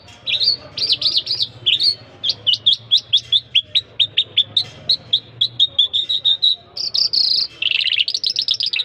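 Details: A Jal in full song: varied whistled phrases leading into a long series of quick, clipped repeated notes, ending with warbled, buzzy flourishes.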